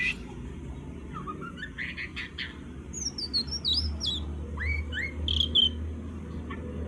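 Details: Young oriental magpie-robin learning to sing in the ngobra style: scattered clear whistles, sweeping upslurred notes and brief high twitters in a loose, halting run, with a constant low electrical hum behind.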